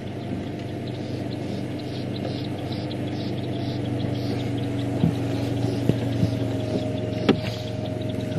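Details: A steady low engine hum, like an idling vehicle, with a few faint clicks and knocks; no animal calls stand out.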